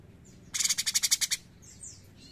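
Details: Cucak cungkok bulbul in lively song, delivering one quick burst of about ten sharp, rattling, high-pitched pulses, followed by faint thin descending whistles.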